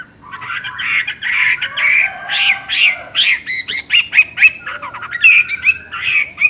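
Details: Chinese hwamei chattering song, a continuous medley of slurred whistles, buzzy rasps and sharp notes. The phrases swell and fade without a break, with a few higher, brighter whistles near the end.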